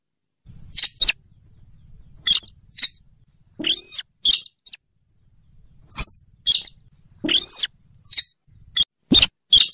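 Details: Rail calls used as a trapping lure: a rapid series of sharp clicks and piercing arched squeals, with a soft low hum under the quieter stretches.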